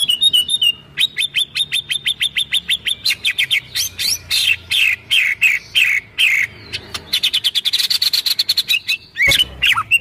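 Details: Kretekan of a white-rumped shama, recorded 24 January 2023 to provoke other birds: long runs of rapid, rather buzzy repeated notes, several per second, with louder harsh bursts in the middle and a final high chatter.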